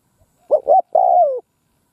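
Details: A spotted dove kept as a decoy calls in a field to attract wild birds. It gives a single phrase: two quick, soft hoots, then a drawn-out coo that sags in pitch at the end.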